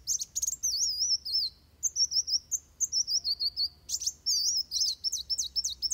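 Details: Van Hasselt's sunbird fighting song used to train other birds: high, thin wavering whistles and rapid sharp trills in quick runs with brief pauses, faint low hum beneath.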